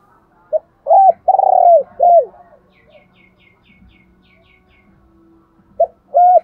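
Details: Spotted dove used as a decoy to excite wild doves: a burst of four hollow coos, one long and rolling, then a pause with faint twittering before two more coos return.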